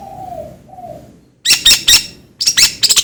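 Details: Long-tailed shrike sound for rousing other shrikes: a soft low dove-like coo at first, then two bursts of loud, grating, rapidly repeated shrike notes.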